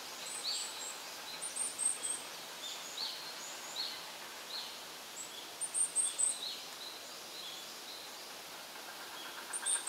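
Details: Juvenile varied tit recorded with a compact camera, giving thin, very high calls in short clusters of three or four notes, repeated a few times over ten seconds against a steady hiss of outdoor background noise.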